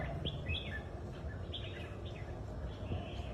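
Red-whiskered Bulbul giving short, bright whistled and warbled phrases, several in quick succession, fairly faint over a steady low background hum.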